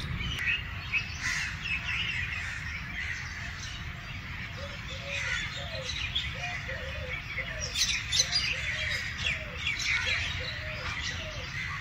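Eurasian collared dove giving soft, low three-note cooing phrases, repeated several times, over busy chirping from other small birds and a low rumble.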